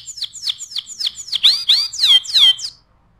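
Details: Short phrase of energetic canary song for tutoring other birds: a series of falling whistled notes growing louder and richer, ending abruptly into quiet.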